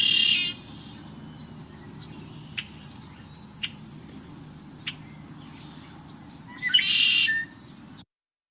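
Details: Red-winged Blackbird, an early spring migrant back in Kentucky that breeds in wetlands and lake or pond edges, sings a few short, sharp notes, then a harsh, buzzy 'conk-la-ree' trill, over a faint low hum.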